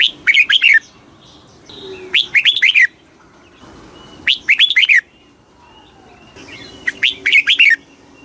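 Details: Very fast kích bổi song of a red-whiskered bulbul, used to excite birds: four lively warbled phrases of quick up-and-down whistled notes, spaced about two seconds apart, with near silence between them.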